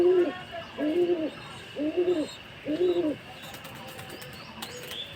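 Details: Domestic pigeon pair mating, mounting after billing and feeding each other mouth to mouth; low throaty coos in four bursts about a second apart, each with a slight rising-falling swell, followed by faint clicks and rustling.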